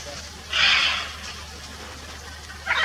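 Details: Blue-and-yellow macaw uttering one drawn-out, hoarse, grating squawk lasting about half a second, followed by the start of another rough call at the end, with a low background hum.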